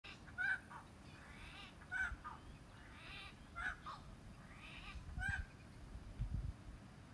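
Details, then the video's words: A Little Friarbird gives harsh, nasal, honking notes, about one every one and a half seconds, over a low background rumble; the call was nicknamed for sounding like a rude "f**k off". "Little Friarbird call"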